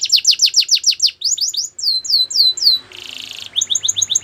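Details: Singing canary: quick series of descending high notes, then downward-swooping whistles, a brief buzzy trill, and rapid rising chips at the end.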